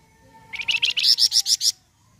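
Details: Flamboyan bird in full song, used as a lure to prompt other birds to sing: a quick burst of about ten bright, chirpy, rising notes that grow louder and higher, over a faint low hum.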